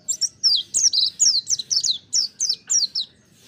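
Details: Mountain white-eye (pleci montanus) in lively, energetic song used for song training: a rapid series of short, high, sweet chirps and twittering phrases in quick bursts, with clean pauses between them and a quiet background.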